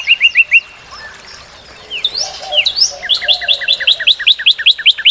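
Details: Northern cardinal song made of a short run of clear slurred notes and some swooping whistles. A long, fast series of doubled high-and-low chirped notes follows, repeated about three times a second.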